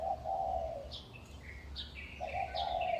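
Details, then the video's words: Birds on utility poles in a residential village in Taipei, Taiwan, singing at dawn around 5:25 am in May 2019: a low hooting coo repeated twice, overlaid with short high chirps and whistles, over a steady low background hum. "鳥叫起床 請帶耳機身歷其境 台北市最強鳥叫社區 sounds of birds"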